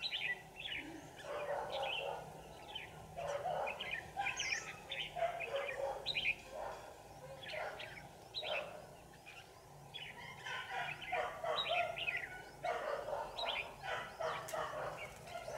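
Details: Red-whiskered bulbul decoy singing to fight during trapping of a wild bird, 27 November 2018. Repeated lively chirped and whistled phrases follow each other almost without pause, with more than one bird calling, over rural background noise.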